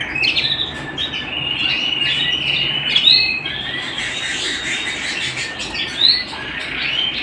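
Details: Canary singing indoors, bright high trills and whistles with a few harsher buzzy notes, louder accents around three and six seconds, continuous rapid phrasing.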